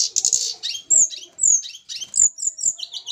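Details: Snowy-browed flycatcher from Java during pairing: scratchy high chatter mixed with sharp downslurred whistles and short twittering phrases, with faint lower noise behind.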